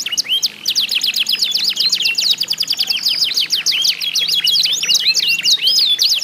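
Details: Competitive canary song, used to coax other canaries into singing. Trills of steep chirps and looping whistled notes repeat quickly and continuously, over a soft low hum.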